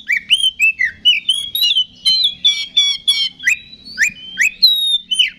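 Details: Oriental magpie-robin in full song, meant to provoke other magpie-robins to fight: loud, varied clear whistles, sliding and upswept, mixed with sharp clicks, delivered in quick separate phrases.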